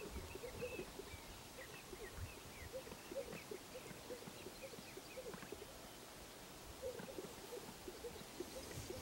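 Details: Greater sage-grouse, thirty males strutting in a line along a lek in the Upper Lemhi Valley, Idaho, at about 5:30am on 13 May 2011 during mating displays. Faint scattered popping notes come from many birds over a steady background hiss.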